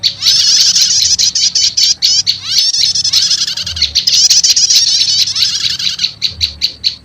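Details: Prinia lure sound blending prenjak lumut with prenjak setater calls, meant to draw wild prenjak lumut quickly: high, thin, rapid chirps run into dense buzzy trills, with brief pauses and a faint low hum underneath.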